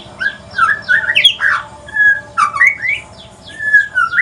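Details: Male white-rumped shama, Aceh pastol mutation, in loud evening song: rich, varied warbled whistles with rapid slurs up and down, brief pauses between bursts, full and close.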